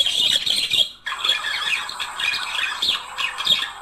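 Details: Mating-stimulation song of a budgerigar pair: shrill, rapid chattering warble, broken by a split-second silence, then resuming as dense scratchy squeaks and chirps.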